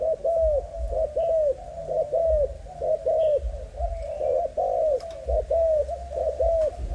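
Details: Spotted dove, a young bird of the Malaysian type, line 55, giving repeated rounded coos in paired bursts about every second over a constant low hum.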